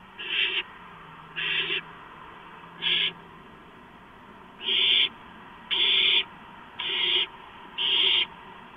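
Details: A gopher delivered to a barn owl nest around 11:43 PM, 2 April 2015, with harsh rasping screeches. Seven hissing bursts in under nine seconds, the later ones louder and longer.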